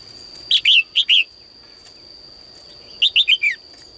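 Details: In the morning, a female bird in a cage sings to draw more song from males: two clusters of clear, falling chirps, three then four notes, separated by a pause, with a steady high-pitched hum throughout.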